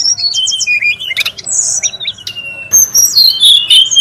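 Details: Wild brown-chested jungle flycatcher, noisy: high downslurred whistles and chirps, a harsh buzzy note, then a stretch of bright overlapping whistles and twitters.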